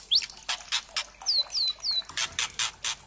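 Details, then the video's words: White-rumped shama (murai trotol) lure song for provoking singing: one rising whistle, harsh crackling bursts, three matching downslurred high whistles, then more rasping crackles. "MURAI TROTOL CEPET BUNYI GACOR dengan suara pancingan murai trotol agar NGPLONG ini"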